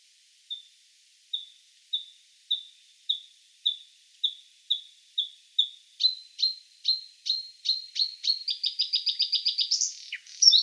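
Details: Bluethroat song building from slow, thin single notes into faster ringing repeats that speed up into a rapid trill, closing with a scratchy flourish.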